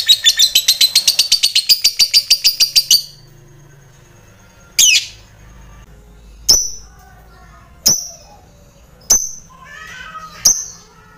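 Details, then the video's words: Lovebird's long ngekek chatter, meant to draw a quick reply from rivals: about three seconds of rapid, high, rattling pulses, then several separate sharp shrieks spaced every one to two seconds. "Suara lovebird ngetik sambung ngekek panjang, cepat direspon lawan"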